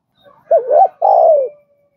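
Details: Single phrase from a spotted dove, for training newly caught doves: a wavering two-part coo followed by a long mellow note that slides gently downward.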